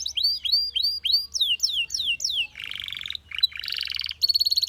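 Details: Belgian canary song opening with a string of looping, swooping whistled notes, then a buzzy lower trill, a quick slur, and a high rapid rattling roll.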